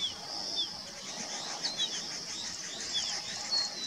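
Crested bunting male giving a few thin, high, slurred chip notes at irregular intervals, set against a steady high insect-like hiss and faint distant birds.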